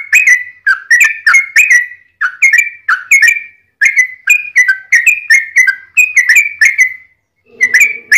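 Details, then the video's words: Long fighting song of a yellow-vented bulbul, used as a lure to stir other bulbuls to answer; rapid phrases of rich, bubbling whistled notes in long runs with short breaks, and a faint low buzzing near the end. "trucukan gacor TARUNG ROPEL PANJANG pancingan trucukan agar bunyi jadikan burung trucuk gacor EMOSI"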